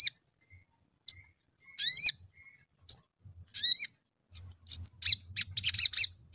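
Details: Sooty-headed bulbul lure sounds to prompt singing: sparse high ticks, two harsh rising rasps, then a lively run of arched whistles and rapid chirps near the end.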